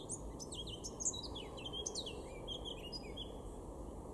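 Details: Male blackcap singing in a garden at Weener, East Frisia, northwest Germany, in April 2022: a rapid run of high chirps leading into clear, fluting whistled phrases that slide downward, against constant low-pitched background noise.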